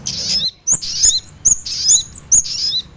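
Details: Kemade combined with sogon as a bird-trapping lure: clustered bursts of shrill chirps, each burst opening with a sharp upward whistle then a buzzy high trill, repeated about every half second.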